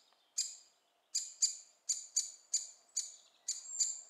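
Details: Great spotted woodpecker young calling while being fed in Staverden, the Netherlands: eight sharp, high, scratchy chips, each dropping quickly, spaced irregularly with short gaps, over a faint low hum.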